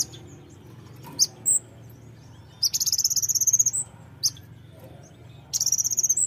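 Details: Brown-throated sunbird song used to provoke singing: scattered sharp high chirps around two bursts of rapid shrill trilling, the longer one about a second, each trill ending on a short rising note.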